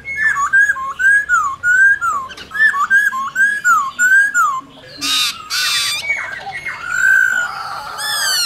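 White-cheeked laughingthrush singing a fast run of rich, looping whistles rising and falling about twice a second, broken by a few harsh bursts and squawks.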